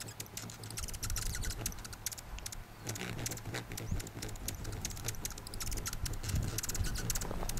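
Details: A male Oasis Hummingbird performing a shuttle courtship display to a female gives a rapid string of dry, ticking song notes over a low, steady buzzing from his wings; Atacama Desert valleys, far northern Chile, September 2010.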